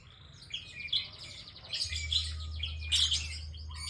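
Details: Bar-winged prinia in lively song, giving dense high chirps and buzzy trills that swell in two bursts, over a constant low droning hum.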